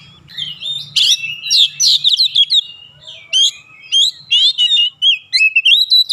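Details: Agitated Oriental magpie-robin singing filler phrases: bright, varied whistles and chirps in rapid clusters, with short gaps between bursts.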